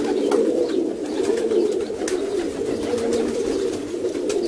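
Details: Two adopted squabs of a caged rock pigeon pair being fed in a dovecote, giving a continuous low wheezy buzz that swells and fades slightly, with scattered soft taps and clicks.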